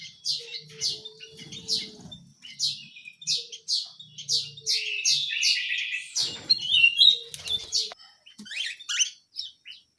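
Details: Small canary chirping and singing in short bursts: clusters of high, sharp notes and twittery phrases with gaps between them, a faint low rumble in the background.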